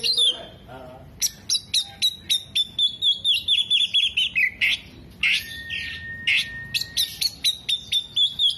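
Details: Oriental magpie-robin singing with its tail spread, imitating hummingbird, bearded bird and lovebird: rapid, evenly paced high chips about twice a second, joined by a level sustained whistle and a scratchy chattering phrase.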